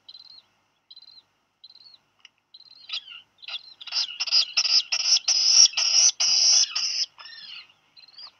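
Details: Black Guillemot chicks on Seal Island National Wildlife Refuge, Maine, USA, in July during a dropped-fish squabble; sparse thin high peeps build to a loud run of harsh buzzy notes, then fade back to single peeps.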